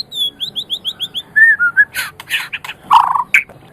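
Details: White-rumped shama singing on a recording meant to teach other songbirds: a series of six clear upslurred whistles, a few lower sliding notes, then scratchy, harsh chattering bursts.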